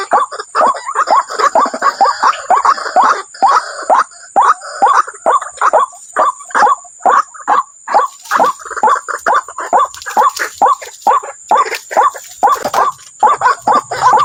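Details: Waterhen calling: a harsh, downward-slurred note repeated steadily about twice a second, each call dropping from roughly mid pitch, with slight overlap suggesting more than one caller, and a faint high steady hiss in the background.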